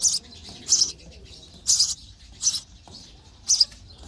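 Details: Baby sparrows begging for food in their nest as a parent feeds them, giving five shrill, high chirps at uneven intervals about once a second.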